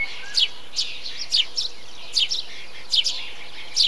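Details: In a bee-eater colony, a Eurasian tree sparrow gives bright, clipped chirps, often doubled, at about one per second. Softer warbling notes from other birds fill the gaps.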